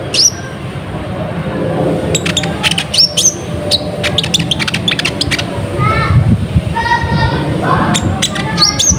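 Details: Kolibri ninja sunbird lure recording, a steady, lively singer used to call in wild birds. Rapid high chips and flicked whistles alternate with lower, buzzy stacked trills in the middle, over low background rumble.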